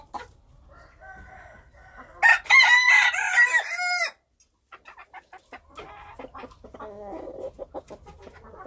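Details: Wild chicken (Hmong qaib qus) giving a strong, drawn-out crow of nearly two seconds with stacked harmonics, followed by quieter clucking and short chattering notes.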